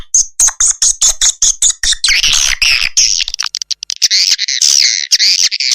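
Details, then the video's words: Swiftlet lure call played to draw birds to nest houses: rapid high chirps repeating about twice a second, then a dense buzzy twittering chatter. "suara panggil walet"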